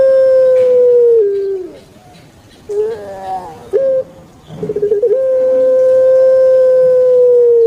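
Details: Kept puter pelung turtle dove from Java, Indonesia, giving its long, thick kwok coo: a sustained, steady, low tone held over a second, broken by short wavering notes, then a second long drawn-out coo held for nearly three seconds.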